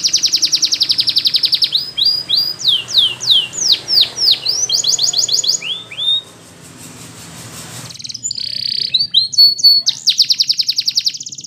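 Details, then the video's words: Belgian canary in song for canary training: a fast metallic rolling trill, then a series of downward-swooping whistles, a noisy hiss with little song, and a return to steady whistles and a rapid buzzy trill. "The Belgie Canary's Seduction for the Canaries to Stop Sounding"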